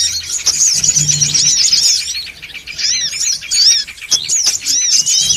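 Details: Noisy songon otong calls used for luring birds. Dense high chatter gives way after two seconds to clearer, separate swooping whistled notes and sharp chirps, with a low hum early on.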